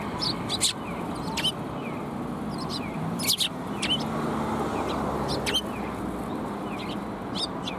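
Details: Sparrows gathering to be fed at a Tenmangu shrine, afternoon of 18 March 2021, giving brief sharp chirps and small downslurred notes at uneven intervals over constant low rumbling noise.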